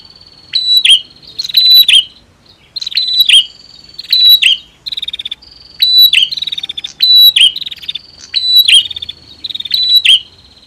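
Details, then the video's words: Male and female prinia in a singing duel meant to provoke a stuck bird: steady run of loud, high, down-slurred double notes, roughly every second, linked by thin sustained whistles. "Prenjak betina VS Prenjak Jantan !! Ampuh Dongkrak Emosi Burung Macet Bunyi"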